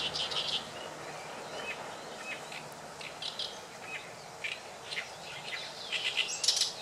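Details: Oriental reed warbler singing at Sakurasō park in Saitama in May 2012: scattered harsh, grating chattering notes, some brief and faint, with louder buzzy bursts near the start and end over steady background hiss.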